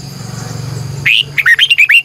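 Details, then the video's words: Morning song of a red-whiskered bulbul kept as a decoy to lure wild birds, recorded 2020. A low steady hum comes first, then one brisk phrase of about six bright, slurred whistles, each rising and falling. "Luyện chào mào hót sáng 2020, Giọng kép xoắn dài hót căng, Chào mào mồi gọi bổi hót hay"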